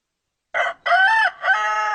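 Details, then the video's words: Rooster crow in three quick segments: a short rough opening note, a longer sustained middle part, and a final held tone that continues to the end. "The sound of cock cock Warble roster sound"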